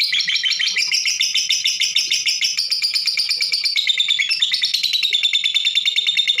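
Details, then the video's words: Female lovebird calling, a sound kept to spur other birds into singing. Dense, rapid chattering of high, harsh chirps repeated about three times a second, with shifting metallic pitches and no pauses throughout. "SUARA LOVE BIRD BETINA SRP DURASI Mantap Untuk Pancingan"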